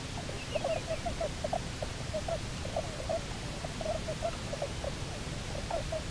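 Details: Bermuda petrel couple newly returned to their Nonsuch Island nesting site, October 29, 2018, caught on a live camera: quick stuttering chatter of short clipped notes in uneven bursts over low hiss.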